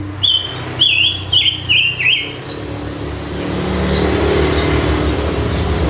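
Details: A caged pancawarna bird in full voice gives five quick, high, whistled notes with falling steps. They are followed by swelling road and engine noise.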